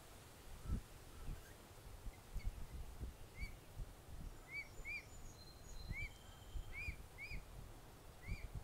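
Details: Mute swan cygnet beside its father in Plymouth, Massachusetts, on 21 June 2020, calling out for its mother and siblings who had moved out of range. About a dozen short, arched, high peeps come in uneven bursts over low rumbling background noise, with faint higher chirps.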